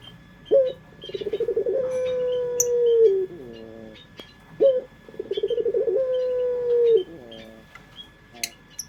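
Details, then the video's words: Puter pelung collared dove used as a lure, giving two matching phrases: a sharp opening note, fast pulsed cooing, a long drawn-out low tone falling at the end, then trailing quavers; faint chirps behind. "Pancingan Suara Burung Puter pelung"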